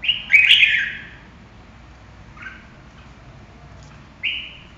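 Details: Red-whiskered bulbul: a loud burst of bright, slurred whistles at the start, followed by a pause, a soft brief note, and another short whistled phrase near the end.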